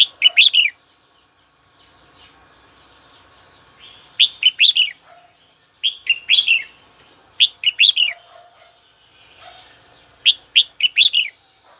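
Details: Red-whiskered bulbul calling a rival, used to fire up birds: a series of five short, brisk warbled phrases repeated every two to three seconds, with soft low chatter filling the gaps.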